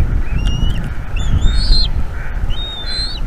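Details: Bald eagle nestling begging during an evening feeding at a North East Florida nest, 5 May 2021; a few drawn-out thin whistles, one long and wavering, over strong low rumbling wind noise.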